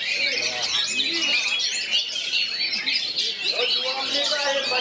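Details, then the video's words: Oriental magpie-robin with three others close by, song in the bagong and kerayu manner; continuous high, varied whistling and scratchy chatter, overlapping voices of several birds and low murmuring people behind. "3 KACER DI SEKELILINGY BAGONG,KERAYU GAYA CARA MAIN NYA"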